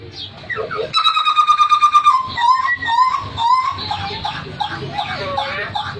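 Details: Hooded butcherbird holding one pure, level whistle for about a second, then a series of rapid, bouncing slurred notes repeated roughly twice per second, fading into softer warbles.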